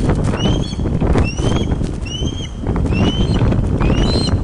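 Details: Webcam recording at an osprey nest, Loch of the Lowes, Scotland, 31 August 2013, late afternoon, as a large fish is delivered. Rising whistled notes repeat about once a second over heavy low-pitched wind noise.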